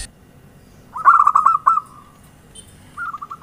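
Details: Zebra dove (perkutut) used as a lure: one loud burst of rapid bubbling coo notes trailing into a fading trill, then the start of a softer phrase.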